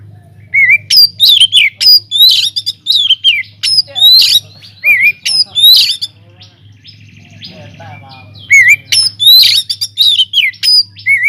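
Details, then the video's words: Caged white-rumped shama singing loudly in an aviary, used as a lure to make other birds sing: bursts of loud whistled and sharp chattering phrases with rising slurs, a pause near the middle, then renewed phrases; steady low hum beneath. "cocok buat pancingan | BURUNG KACER GACOR DIDALAM UMBARAN"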